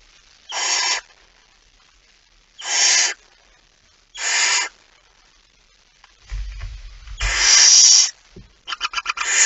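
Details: Barn owl near midnight on 17 September 2019, male arriving with a mouse: a run of short hissing screeches every one to two seconds, a longer louder one with low rumbling, then a quick series of rapid clicking rasps.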